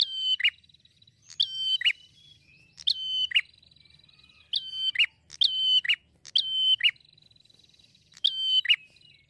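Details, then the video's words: Prinia song used as a lure to make prinias of any type answer: about seven sharp phrases, each a burst of clicky ticks, a steady high whistled note and a quick falling slur, repeated every second or so with no other sounds. "jamin langsung nyaut prenjak jenis apapun"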